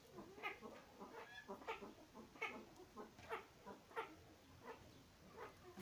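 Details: A male satyr tragopan (Tragopan satyra) in courtship display gives about ten short, nasal, bleating notes, one roughly every two-thirds of a second, over a soft background hiss.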